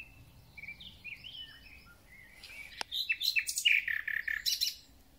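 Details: Spring song of a thrush nightingale: soft descending whistles at first, then a louder run of sharp, varied notes and slurred whistles, delivered in quick succession.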